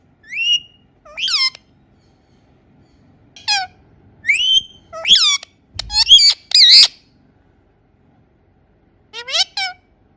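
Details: Indian ringneck parakeet, a pet, giving its natural sounds: scattered harsh, rasping squawks and short screeches, some in quick clusters, separated by brief silences.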